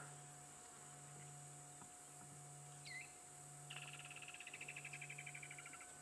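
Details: At sunset in an African bush on 3 December 2016, with lions nearby, a pearl-spotted owlet gives a fast run of short, high whistled notes that swell in volume, over a steady insect drone and a low hum.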